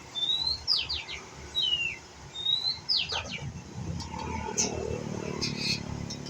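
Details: Young White-rumped shama practising song, giving thin rising whistles followed by quick downward-slurred notes in short groups, then falling quieter amid a background of mixed noise.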